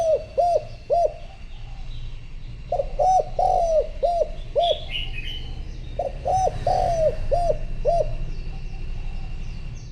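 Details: Decoy spotted dove cooing to summon wild rivals: clear arched coos in doubled and tripled groups, a slurred drawn-out note among them, light chirping of other birds above, and a rumbling low background.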